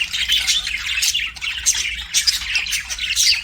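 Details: Pet budgies chirping: dense, high, buzzy chatter with short whistled notes throughout, in bursts about every half second.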